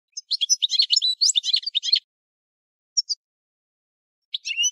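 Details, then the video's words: European goldfinch song: a dense two-second burst of bright, twittering high notes, then near silence broken by a couple of short chirps and a final twitter. "Chant du Chardonneret"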